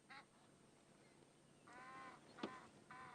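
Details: A pair of Egyptian geese in a morning exchange at a muddy waterside before sunrise trade nasal reedy honks, three short bursts over three seconds with a harsh rasp between; said to be female honking, male hissing.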